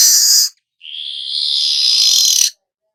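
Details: Weaver in the long hissing nyerut song style: a short harsh burst, a pause, then a sustained buzzing hiss about two seconds long that swells slightly and ends abruptly.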